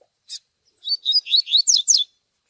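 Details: Double-collared seedeater song in the Tui Tui style, for tutoring young birds, mixed with chick peeping: a single short peep, then a fast run of high slurred notes, each swept downward and then upward, lasting about a second.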